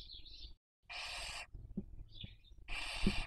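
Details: Barn owls raising young, recorded by webcam in Cabañeros National Park, Castilla-La Mancha, Spain, 2023 breeding season; wavering thin squeals precede two long raspy hisses, with occasional clicks and low background rumble.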